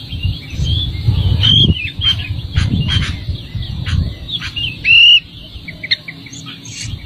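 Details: Chicks in the nest being fed by a mother bird; thin, high squeaks and chirps in quick clusters over low rumbling handling noise.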